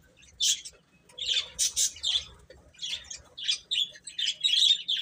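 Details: Young chicks call with loud, shrill, slightly squawky peeps, a brief quiet start, then clustered bursts of high chirping from several birds.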